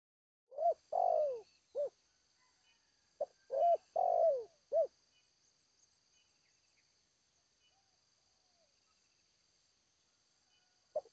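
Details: Zebra dove singing in the Seladang Jati style: a few low, soft, rolling coo phrases in a quick burst over about four seconds, then quiet, ending with one short note. A faint steady high hum runs throughout.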